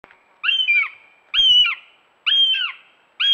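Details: A female Northern goshawk fledgling gives harsh, high, slurred begging squeals, each about half a second long and repeated roughly once a second, with no other sounds.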